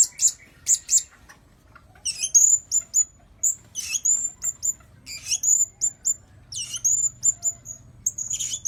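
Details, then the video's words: Lure sounds of the blue-crowned hanging parrot: rapid, very high, shrill squeaky chirps in quick repeated series, some doubled or trilled, nearly continuous after a short early pause. "Suara-Suara Denak Pemikat Burung Serindit Dada Merah"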